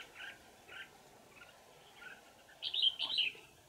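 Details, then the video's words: Red-whiskered bulbul, a wild old forest bird, trapped with a decoy on 20 December 2018: soft short notes spaced apart, then a louder quick twisting bell-toned phrase near the end, with faint continuous hum. "Bẫy chào mào Già rừng giọng chuông xoắn tít"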